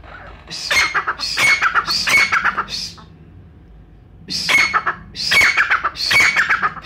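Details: Brown francolin from Pakistan, recorded as a lure for hunters: two bursts of loud, harsh, rapidly repeated ringing notes with a shrill upper tone, separated by about a second of quiet.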